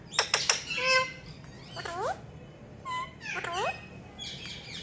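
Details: Talking Rose-ringed parakeet producing rapid clicks, then nasal wavering notes and curving squeaks in uneven bursts, somewhat like mumbled speech, indoors.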